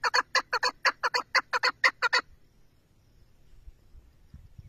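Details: Chukar partridge uttering a fast string of about a dozen hoarse clucking notes over two seconds, then falling silent, leaving faint low background noise.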